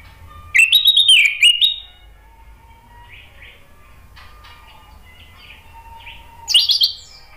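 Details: Male orange-headed thrush, used as a lure for birds that have stopped singing: a second-long run of ringing, jumping whistles, a long quiet pause with faint distant chirps, then another short bright burst.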